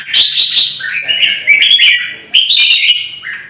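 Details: Red-whiskered bulbul from Vietnam in a heated singing duel, provoked by a rival bird: bright, fluty warbled phrases that slur up and down, two bursts split by a brief pause near the middle.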